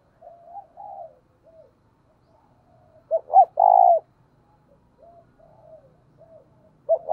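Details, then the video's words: Spotted dove decoy calling in the thúc or gáy gọi manner. Low, faint wavering coos lead into one loud phrase: two short rising hoots and a sustained, full coo. Scattered soft notes follow, and another phrase begins at the end. "Tiếng cu gáy cực hay THÚC và GÁY GỌI mới nhất, mở là gáy"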